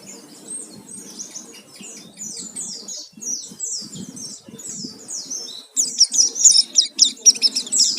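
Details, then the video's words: Oriental white-eye lure song meant to draw other birds into singing: a fast, thin, high twittering run of downslurred notes, growing louder and more rapid toward the end, faint low background murmur. "Pancingan suara pleci gacor full isian"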